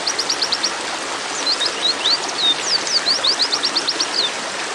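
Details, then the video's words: Several white-eyes give thin, high chirps and quick sliding whistles in rapid overlapping runs, over a steady rushing hiss like running water. "TERAPI PLECI OMBYOKAN"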